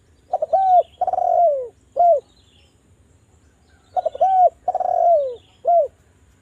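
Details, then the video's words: Spotted dove, Javan form, coo phrase played to make doves sing: stuttered opening, long falling rolled coo and short final note, repeated twice about three seconds apart. "DERKUKU JAWA Suara merdu TAJAM, pancingan agar BUNYI jadikan burung DERKUKU BUNYI GACOR NGALAS"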